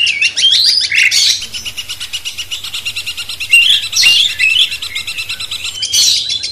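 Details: Sooty-headed bulbul master song intended to excite a magpie-robin: scattered bright slurred whistles and brief harsh bursts between quieter gaps, over a continuous high-pitched buzzing hiss.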